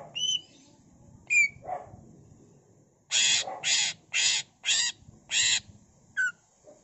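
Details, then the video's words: Greater green leafbird (cucak ijo) singing with copied fill-in phrases: a few thin whistled flicks, then a run of five loud harsh buzzy bursts at an even pace, ending with another whistle. "CUCAK IJO GACOR BONGKAR ISIAN NGENTROK PANCINGAN CUCAK IJO GACOR FULL ISIAN"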